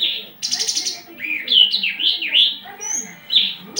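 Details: Aggressive Javan bush lark in mating condition, raising its crest and fluttering its wings. A buzzy rattle opens a tumbling sequence of warbled, rising and falling whistles with a thin high note mixed in.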